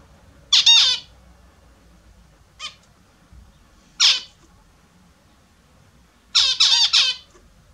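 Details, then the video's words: Australian zebra finches bathing in the morning utter loud, nasal, trumpet-like calls in separate groups: a pair, a faint single, a lone note, then a rapid triple, with quiet in between. "My Australian Zebra Finches taking the morning bath"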